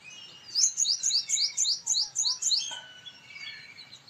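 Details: Male purple sunbird in full voice: a quick rattle of about a dozen high, ringing, upward-flicked notes over two seconds, ending in softer twittering and a few fainter calls.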